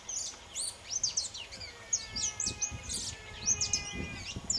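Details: Saffron finch of subspecies pelzelni singing while loose, delivering a fast, continuous twittering of thin, high slurred notes and chips, with faint background noise throughout.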